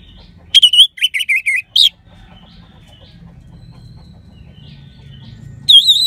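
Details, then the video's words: Orange-headed thrush in full song with a clear 'crystal' voice, intended to stir other birds: a short, quick series of wavering whistled notes, a long quiet stretch with faint distant chirps, then a loud whistle at the end. "Gacornya ANIS MERAH Suara Kristal Bagus Untuk Pancingan Burung Lemas ataupun Macet"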